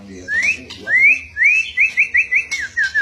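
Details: Chattering pet white-rumped shama that won't be outdone by its owner: upslurred whistles, then a fast series of short, ringing whistled notes; faint voices at the start.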